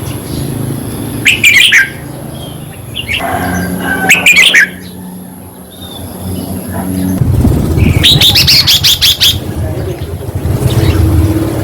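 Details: Song of the red-whiskered bulbul, played to caged birds to get them lively: three quick warbling bursts spaced a few seconds apart, the last longest and busiest, over a humming, rumbling background.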